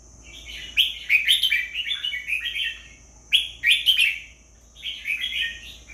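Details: Repeated song phrases from a red-whiskered bulbul, three bouts of cheerful bubbling, slurred whistles about two seconds apart, each opening with a bright accented note, above a faint steady high whine.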